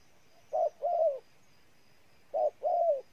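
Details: Spotted dove from Ninh Thuận, Vietnam, giving two coo phrases, each a short clipped note followed by a longer, mellow, slightly falling coo, with a pause of over a second between phrases and a quiet background.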